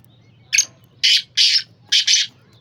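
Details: Black francolin, called Sindhi kala teetar, giving a harsh, rasping call: one short grating note, then a quick pair, a pause and another doubled burst, loud and close against a quiet low hum.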